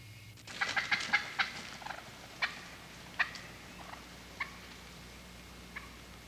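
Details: An Eastern wild turkey hen in the Midwest, in spring at the start of the mating season, cackles as she flies down from the roost: a quick burst of about six sharp, excited yelps, then a few spaced yelps trailing off.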